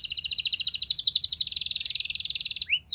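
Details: Short burst of canary training song: a steady, very rapid high trill of pulsed notes lasting over two seconds, followed by two sharp sweeping chips.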